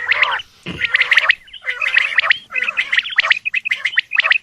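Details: A male Coturnix quail gives repeated rough, chattering call bursts. They are mixed with brief clear piping notes, with a short pause near the start.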